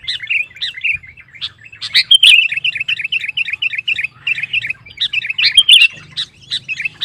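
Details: Lively sooty-headed bulbul song intended to stir rival bulbuls: a steady stream of bright, bubbling chirped notes over a low hum.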